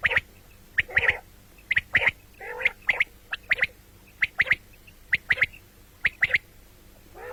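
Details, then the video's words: Common quail calling, heard morning and night: short sharp notes given in quick pairs and triplets, spaced about a second apart, with a few harsher squawks mixed in. "batair ki awaz quil sound beautiful morning and night بٹیروں کی سپیشل زبردست آواز صبح رات"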